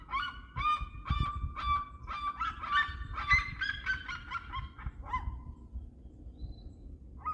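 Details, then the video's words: Red-legged seriema singing a fast series of strident yelps that build and then slow, ending in a drawn-out falling note, followed by near silence and one last yelp. "Como cantam as seriemas"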